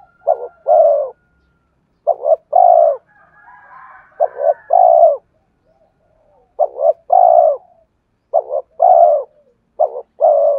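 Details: Spotted dove song used to attract wild birds, with bursts of doubled short notes and long falling coos separated by brief pauses, and a faint higher bird call overlapping in the first half.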